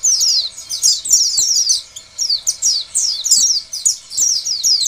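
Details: White-eye lure singing meant to make other pleci start singing: continuous shrill, high-pitched chattering of quick downward-slurred notes, dipping quieter near the middle.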